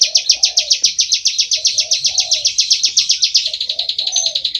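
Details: Energetic full ngebren song of a bar-winged prinia, shrill chirps fired about four per second, dropping slightly lower toward the end, while a muted low cooing sound repeats behind.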